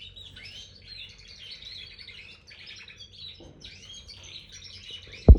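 A red factor canary sings a fast, high warble of chirps and trills, with a short break midway, over a low steady hum and a sharp click at the end.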